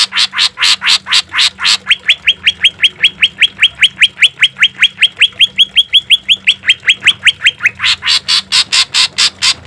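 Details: Green leafbird, a caged-bird training recording of harsh, rapid song notes: a run of rough staccato notes, then a long fast series of rising whistled notes, before the harsh pulses return.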